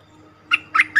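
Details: Cream-vented bulbul call used as a trapping lure: three short bubbly, chortling notes in quick succession, the later two richer and slightly rolling, over a faint low hum.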